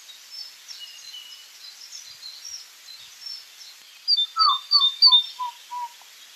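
Great tit song: a brisk run of about five two-part notes, each a high whistle dropping to a lower one, after faint chirping from other birds.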